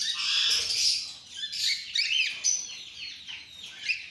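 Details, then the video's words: Mutation cockatiels chattering densely, high chirps and rapid whistled notes tumbling over each other with scarcely a pause. "Cocktail Sound"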